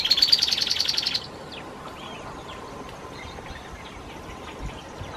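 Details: A Dusky-tailed Canastero (Pseudasthenes humicola) vocalizes in the foreground with a fast, dry, high trill of about a second, at Isla de Yáquil, Santa Cruz, O'Higgins region, in shrubby vegetation where the species is common; faint other birds follow.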